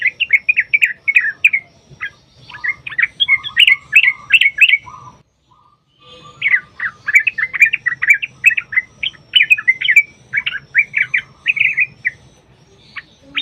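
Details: Sooty-headed bulbul, a fighting-style song with long rapid runs, used as a lure to make bulbuls sing: bursts of bright, chattering, warbled notes in quick phrases. The phrases break off briefly near five seconds, then resume just as busily.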